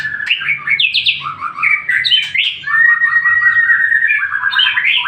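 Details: White-rumped shama singing as a lure so other shamas reply, a rich nonstop flow of whistled, warbling phrases with quick rising and falling slurs, loud and clear throughout.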